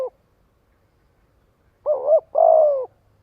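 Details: Spotted dove used to lure and gather others, giving one clear phrase: a short wavering two-note coo followed by a long smooth descending coo, after a brief clipped note at the start.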